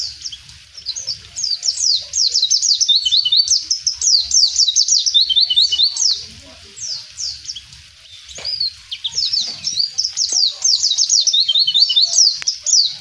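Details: Mountain white-eye singing in the wild, a vigorous 'gacor ngalas' style song: rapid high, thin chirps and quick downslurred notes in dense runs, pausing briefly near the middle before resuming just as fast.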